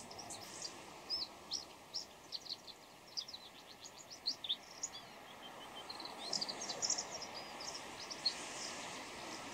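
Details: Pre-dawn bull-headed shrike with a quiet, varied medley of high chirps, twitters and short squeaks. The notes come in loose bursts, then a busier jumble near the end, over a steady low hiss.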